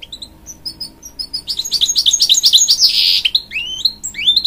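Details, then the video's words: A hybrid goldfinch, a cross of canary and goldfinch, sings to spur young chicks: soft twitters building into a loud, rapid, buzzy warble, finishing with rising upslurred whistles. "A Hybrid Goldfinch Sings To Encourage Young Chicks"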